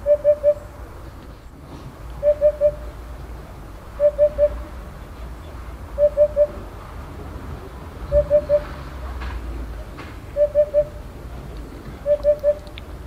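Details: Eurasian hoopoe calling to another hoopoe in neighbouring pines: soft, low hollow hoots in triplets, 'oop-oop-oop', repeated about every two seconds, with faint background noise.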